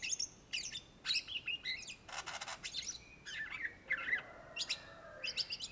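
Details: Greater green leafbird, or cucak ijo of Indonesia, singing energetically: a dense mix of scratchy chatter, buzzy bursts and short whistles, with a rasping noisy phrase near two seconds and thin high notes at the end.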